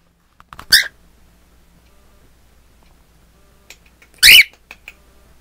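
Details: A pet cockatiel filmed with a mirror gives two short, harsh, screechy calls about three and a half seconds apart, with near silence between them in a small room.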